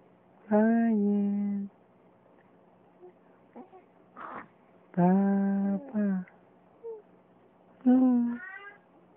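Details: Young female raven, seven weeks old, calling to her owner inside a small room: three loud, drawn-out nasal calls with rich harmonics, a few softer clicks and gurgles between them, over a constant low hum.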